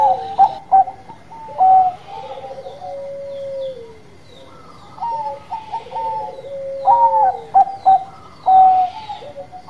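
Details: Bangkok-type zebra doves in full song: quick staccato coo notes alternating with long purring trills that drift slightly lower, several birds answering one another, a thin steady high tone in the background.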